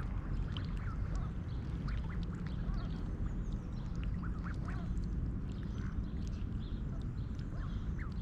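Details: Mallard hen with her nearly grown brood of six wild ducks, fed oats at Snelli Pond, Tallinn, Estonia, early morning in mid-July 2021; brief nasal quacks scattered through the clip against a constant roar of flowing water.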